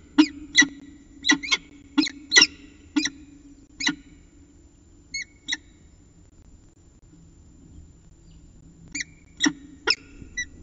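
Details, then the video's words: Peregrine falcon early-morning chat recorded in Orange at 5:29 am on 25 December 2019: a quick cluster of harsh chittering notes, a quiet gap, then more rasping calls, over faint constant hum. "Peregrine Falcon ~ Early Morning Chat"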